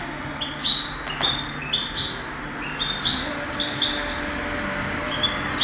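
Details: Contest European goldfinch from 2008 sings in bursts of bright, high twittering notes with short pauses between phrases, over a faint low hum.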